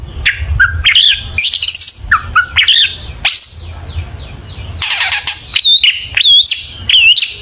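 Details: Long-tailed shrike (cendet, pentet) in loud, lively song used as a lure to get other shrikes singing: a fast, varied run of harsh squawks, buzzy bursts and sharp whistled notes with looping high whistles near the end.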